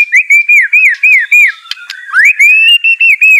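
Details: Song of a white-rumped shama, used to coax a quiet bird into answering: loud, clear whistles repeated about every quarter second, each slurred up then down, with a short scratchy break midway.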